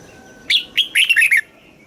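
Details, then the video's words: Red-whiskered bulbul, Thailand, southern-style song played to excite caged birds and teach young ones: a single crisp phrase of two sharp rising notes followed by three rapid tumbling warbled chirps, then quiet. "เสียงนกกรงหัวจุก สำหรับต่อ หรือ เปิดให้นกคึก"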